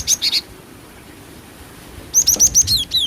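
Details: Female cinereous tit (glatik batu) lure call: a brief trio of high whistles, then a longer rapid series of bright, slightly descending notes.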